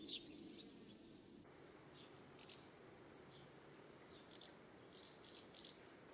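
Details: Several Common House Martins calling as they fly around their nest site in summer in the UK: short, dry, chirruping bursts, singly and in quick pairs a second or two apart, over a steady background hiss.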